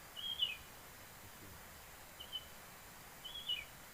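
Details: A Hill prinia in Kerinci, Sumatra, during bird-netting, is caught: three short, high, sharp chirping bursts about a second apart over a soft background hiss.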